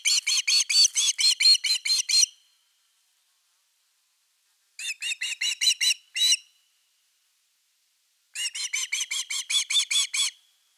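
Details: Osprey calling at nest #3, Finland, evening of 30 August 2021 with a fish: three separate volleys of high, clipped whistles, each several notes long, with quiet gaps between them.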